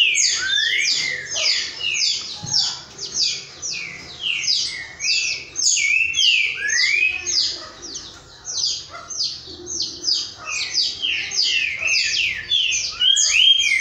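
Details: Boiadeiro-style song from several green-winged saltators at once, rapid runs of sharp, ringing whistles with steep downward slurs, phrases overlapping continuously, with short swells and dips in loudness.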